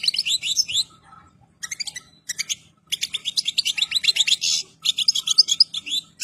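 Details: Pure-bred European goldfinch, ready and in full plumage, sings a long, fast, jangling twitter. Phrases of high, buzzy and liquid notes run almost continuously with only short gaps, over a faint low hum.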